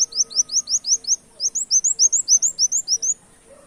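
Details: Brown-throated sunbird song in canary-mimicking style for luring birds: rapid, loud series of high, rising chip-like notes, roughly five or six a second, with a brief pause midway, then fading out.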